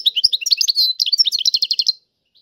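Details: European goldfinch in tiwawati style: a two-second rush of very high, sweet chirps and twitters that ends in a fast, even trill, followed by silence.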